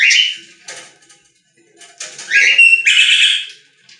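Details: Budgerigars singing in a pet store: bright, buzzy warbled phrases with harsh chirps, a short burst, a pause, then a longer scratchy run of notes.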